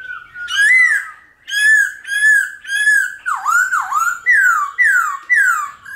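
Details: Laughingthrush singing in the mature wild-forest style with many voices, used to stir and train wild-caught birds: clear whistled phrases, arching then dipping downward, repeated about every half second with short gaps.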